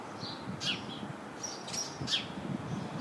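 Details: House sparrow sitting in a bush packed with house sparrows, giving two strong, bright chirps among softer overlapping chirps from the flock.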